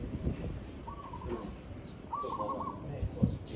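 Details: Zebra dove in a real recording: two soft rolling trilled coo phrases about a second apart, with a few dull knocks and low background noise.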